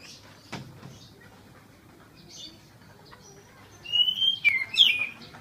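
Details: A captive Oriental magpie-robin that has recovered from severe cataracts in both eyes sings freely again. After a quiet start broken by a single dull knock, it bursts into loud, clear whistled phrases with quick rising and falling slurs.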